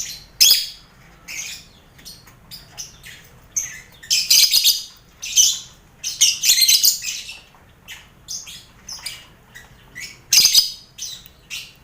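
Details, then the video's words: Lovebirds crowd a colony cage with finches and quail, a lively scene meant as mental training for contest birds: loud grating shrieks alternate with rapid chirps in irregular bursts throughout. "Sound Koloni Lovebird"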